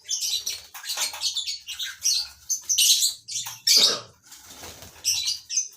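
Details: Lovebirds bred in a colony system, a near-continuous stream of harsh, high screeches and chirps from several birds, pulsing in rapid irregular bursts.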